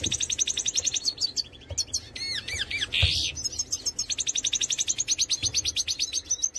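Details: Major goldfinch song: rapid rattling trills, a few looping whistled notes and a harsh buzzy note midway, then a long fast trill of evenly repeated clicks.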